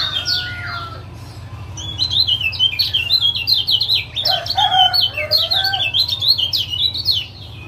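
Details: Lombok lemon-bellied white-eye male chattering 'ciak ciak' to coax a silent caged male into song: a few clear whistled notes, then dense bursts of sharp high chirps, with a steady low hum behind.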